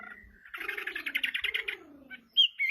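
Chinese hwamei giving a quick run of rich, chattering notes, then a loud, clear whistled phrase. Low, falling coo-like notes sound underneath.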